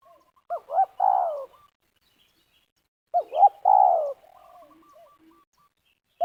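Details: Spotted dove calling as a lure for trapping in Liwa, West Lampung: two quick clipped notes then a drawn-out falling coo, the phrase given twice with quiet soft notes between.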